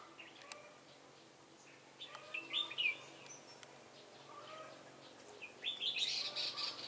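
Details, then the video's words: Red-whiskered bulbul singing in the Ché style as a decoy to lure rivals during trapping, 18 September 2018: bright whistled phrases scattered through, a louder warbled burst midway and busy high twittering near the end. "Bẫy chào mào Ché khét nẹt"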